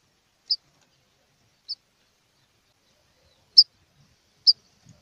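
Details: Rufous-collared sparrow calling aggressively to stir other birds to sing: four short, bright, high-pitched chips spaced one to two seconds apart, followed by a faint low knock.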